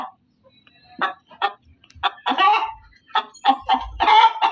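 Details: Hen calling loudly: a series of harsh, harmonic squawks in uneven bursts, separated by short pauses, with faint low thumps in the background.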